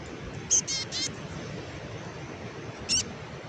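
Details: Black-capped chickadees, described as raspy: a quick cluster of three short, harsh, buzzy high notes, then a single similar raspy note after a pause, over a steady low background hiss.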